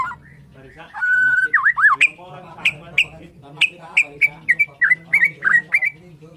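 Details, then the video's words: White-rumped shama of the Borneo form singing in the morning: a long clear whistle, then a run of loud sharp notes with twanging downslurred whistles, repeated about three times a second. "KICAUAN MURAI BORNEO PAGI BIKIN MURAI MANAPUN SEKETIKA TERPANCING IKUT BUNYI"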